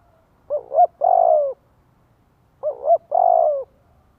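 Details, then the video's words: Spotted dove decoy song meant to provoke wild doves into cooing back: two low, mellow coo phrases about two seconds apart, each a quick double hoot followed by a longer, drawn-out, slightly falling coo, in a quiet setting. "Tiếng chim cu gáy kích mồi cực chuẩn - Bổi nghe là gáy theo"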